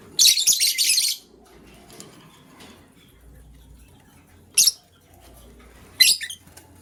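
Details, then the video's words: Green and blue lovebirds scrambling for vegetables in the morning give a long, rasping burst of shrill chatter, then silence broken by two short, sharp chirps. "Green LoveBird Chirping Sound"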